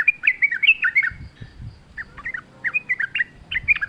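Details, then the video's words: Sooty-headed bulbul, forest-style lively singing meant as a lure for kept bulbuls: chattering bubbly whistles in two bursts, with faint low rustling noises between them. "trucuk gacor ngalas full suara alam"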